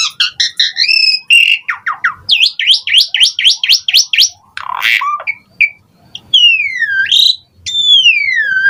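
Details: Asian pied starling song meant to stimulate lazy starlings: quick repeated rising notes, harsh bursts, then two long whistles sweeping down and up again.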